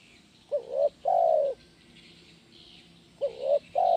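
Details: Lively 'kuk 1' song from a spotted dove, used as training audio for doves: two cooing phrases, each a brief upswept note and then a steady, drawn-out coo, with soft high bird chatter in the background.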